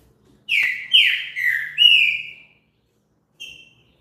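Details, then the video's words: Green-winged saltator singing, a recording meant to encourage another bird to sing: four rich, slurred whistles run together in one phrase, then a pause and one brief soft note. "TRINCA FERRO CANTO ESTIMULA O SEU A CANTAR"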